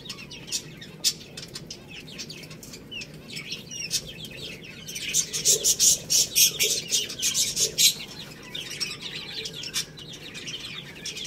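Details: Chicks eating rice, giving short high peeps in loose runs among dense pecking clicks that grow busier mid-clip.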